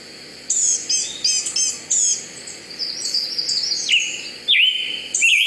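A Scarlet Tanager sings short, hoarse, burry phrases in quick succession, like a robin with a sore throat, ending in lower slurred notes.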